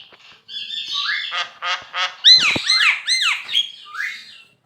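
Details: Javan myna in full song for training other birds: buzzy rising whistles, a run of rapid rasping pulses, then repeated arched squawky notes in quick succession.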